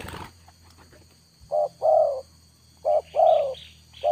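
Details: Lure spotted dove cooing after a brief knock: deep, rounded paired notes, short then long, repeated twice, with faint higher chirps of another bird overlapping the second phrase.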